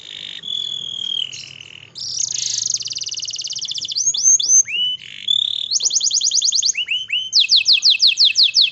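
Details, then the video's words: Canary in breeding condition calling a female: loud, varied song of short whistled slurs and rapid rolling trills of repeated notes, switching between phrases every second or so, with a faint low hum beneath. "suara burung kenari birahi panggil betina"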